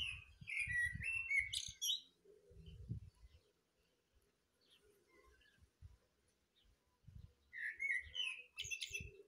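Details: A thrush sings in the morning: a burst of varied whistled and twittering notes, a quiet gap of several seconds, then another similar burst, with faint low background rumble.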